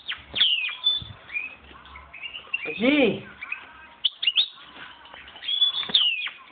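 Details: European goldfinch, hand-reared in 2011 and entering breeding condition, gives bursts of high twittering and downslurred chirps with short pauses; a person speaks briefly midway through the song.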